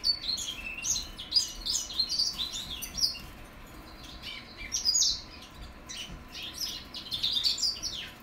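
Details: Goldfinch mules hatched in 2021 learning how to sing, giving a continuous jumble of high chirps, buzzy twitters and brief warbled phrases in uneven bursts, with a quieter stretch near the middle.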